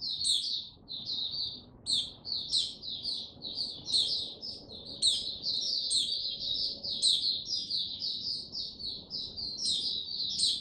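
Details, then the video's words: A male white-eye (Mata Puteh) gains confidence before full song, 06-03-2022: an unbroken, lively stream of high chirping notes and shrill squeaks, with soft low background noise. "Mata Puteh Before he open buka Tsunami Video 1 gaining confidence to buka slow n steady"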